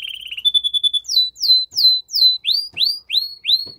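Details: Strong canary song aimed at stimulating a female to mate: a quick rolling trill, then a series of evenly spaced downward-sweeping notes, about three per second, turning into rising upward slurs.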